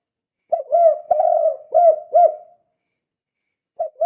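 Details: Spotted dove calling, used as a lure to stir other doves into calling; a run of four low cooing notes with rising-falling arcs over about two seconds, then a pause and a fresh note.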